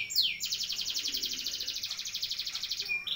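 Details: Canary rolling song for tutoring other birds: a single falling sweep leads into a long, very rapid, even high roll lasting over two seconds, closed by a short note.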